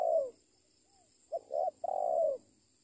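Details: Spotted dove calling, the tail of one low cooing phrase followed by a full phrase: a short coo, a slightly longer one, then a long drawn-out purring croo, in a quiet setting with a faint steady electronic whine.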